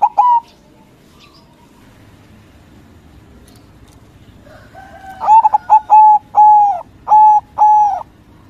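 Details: White zebra dove (local perkutut) with a loud song for provoking rival doves: one brief coo, a long quiet gap, then a full phrase of rapid stuttering notes leading into several drawn, steady cooing notes, evenly spaced.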